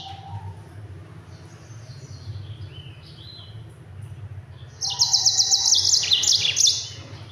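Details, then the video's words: Yellow-fronted canary in fast, dense rolling song used to train other birds: soft distant twitters at first, then a sudden loud, rapid high trill of repeated notes near the end, low hum throughout. "Mozambik Gacor Speed Rapat NGEROL PEDAS untuk masteran!"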